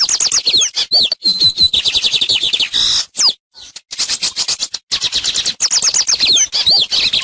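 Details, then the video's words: Lined seedeater (tucero) teaching song: nonstop rapid twittering and buzzy trills with slurred whistles, briefly interrupted near the middle. "TUCERO: CANTO DE ENSEÑANZA"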